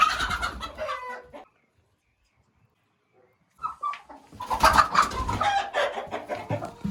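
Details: Chickens cluck and cackle in a dense jumble, then fall quiet for about two seconds. Louder overlapping clucking resumes and continues to the end.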